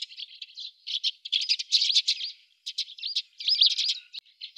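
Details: At a fat-ball feeder in Budapest on 17 December 2010 (winter), several Eurasian tree sparrows keep up a busy stream of dry chirps, chips and short rattling notes in rapid, uneven bursts.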